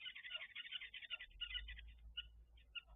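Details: Red-billed buffalo weavers nesting in a tree beside a waterhole pan at King's Camp; rapid, harsh chattering notes in a dense run, thinning into scattered chirps toward the end, over a low hum.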